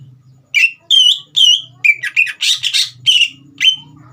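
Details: Caged green leafbird song meant to trigger a young speckled bird: whistled notes interrupted midway by a harsher, broader chattering phrase, then more clear whistles; low background hum present.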